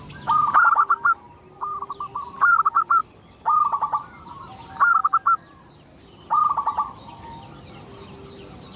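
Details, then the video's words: Lure song of a local zebra dove, intended to set other zebra doves singing: five rolling phrases of rapid staccato coos, each opening with a higher note, spaced about a second apart. "Suara indah perkutut lokal gacor untuk pancingan"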